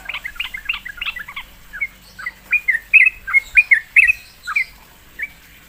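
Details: Sooty-headed bulbul, coaxed to sing, gives a rapid bubbly cluster of notes, then a slower series of loud, clear, slurred whistles about four per second, tapering off.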